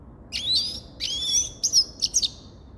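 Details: Short phrase from a Grey-crowned goldfinch: two drawn-out whistled notes followed by quick high chirps.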